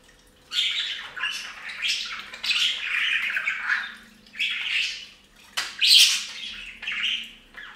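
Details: Budgerigars bathing in a bird fountain keep up a busy stream of scratchy, warbling chatter and squawky notes, with a faint steady hum in the background.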